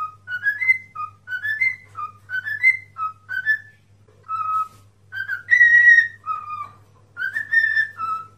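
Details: Cockatiel song for teaching a cockatiel to sing: short tuneful phrases of three or four rising whistled notes, repeated several times, later a longer sustained high whistle, with a steady low hum underneath.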